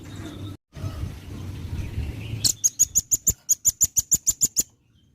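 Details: Velvet-fronted nuthatch, a well-practised singer used as a tutor bird, giving a rapid series of about fourteen sharp, high, even notes over two seconds, preceded by low background rumble and noise.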